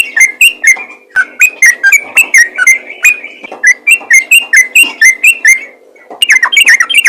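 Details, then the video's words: Sooty-headed bulbul, likely caged, singing the rapid 'ropel' style: a fast run of short, bright whistled notes roughly three per second, each slurring slightly. Sharp clicking ticks accompany each note. A brief pause falls near the middle before the run resumes. "BURUNG TRUCUKAN GACOR ROPEL GARUDA"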